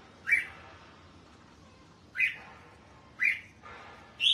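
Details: Red-whiskered bulbul, kept in a cage and out for bathing and sunning, giving single short whistled notes that rise then fall, repeated about once a second with quiet gaps between.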